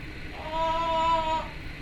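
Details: Pet female Timneh African grey parrot indoors, a single drawn-out tonal squeal lasting about a second, steady in pitch with rich harmonics.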